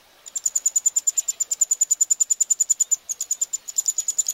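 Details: Eurasian wryneck nestlings begging during feeding at Pribytki, Russia, 2 July 2018: rapid strings of sharp, very high-pitched pulses with a brief hitch midway.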